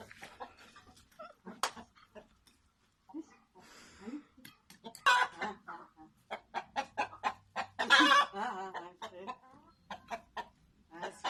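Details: Roosters in a backyard, heard as a series of short, irregular clucks and squawky calls with louder bursts near the middle and end; no full crow stands out clearly.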